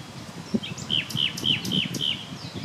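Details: Common nightingale song from a spring late morning, 30 April 2020, near Klein-Auheim and Hainburg am Main: a short run of five clear, down-slurred whistled notes repeated about every quarter second, with a faint low rumble behind.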